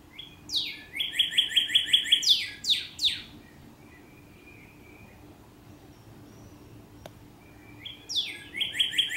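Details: A female Northern Cardinal in a cloistered courtyard in Little Rock calls to her mate with loud slurred whistles and a quick run of clear repeated notes, pausing, then starting the phrase again; faint low hum behind.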